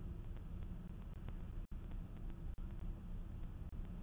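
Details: Low, muffled traffic rumble from an outdoor camera microphone, broken by brief dropouts, with no calls heard.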